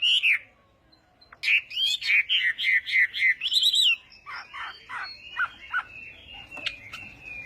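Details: Chinese hwamei practising its morning fighting song: one slurred whistle, a pause, then a string of clear whistled phrases. These fade into softer, varied notes and a thin high trill.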